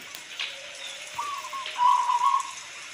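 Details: Local zebra dove giving gentle rolling whistled coos, growing louder toward the end, half masked by a steady wash of falling rain.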